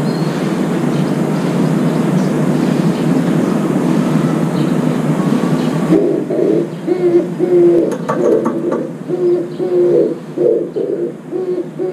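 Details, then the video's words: Oriental turtle dove drinking at a window feeder gives low, hoarse cooing in short notes repeated in a steady rhythm, after several seconds of loud rumbling; its arrival startles feeding sparrows away. "산비둘기 울음소리"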